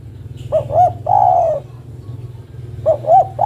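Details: Female spotted dove calls to the male: two short hoots, then a sustained mellow coo sliding down. A second phrase begins after a short gap, over a low rumbling hum.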